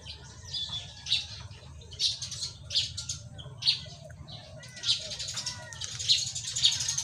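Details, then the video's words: A pipit in the Philippines sings thin, high chirps and short buzzy bursts about once a second over a steady low hum. "bird-PIPIT singing"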